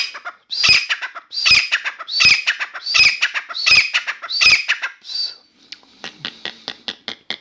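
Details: Grey francolin kept in a room, newly begun singing and going on nonstop: six loud, grating, screechy phrases repeated roughly every three-quarters of a second, then a quicker series of softer clicking notes.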